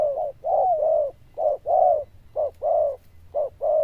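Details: Zebra dove cooing in the 'đồng chuông' style, loud and bell-like. Short note plus drawn-out arched coo, repeated roughly every second. A faint low hum sits underneath.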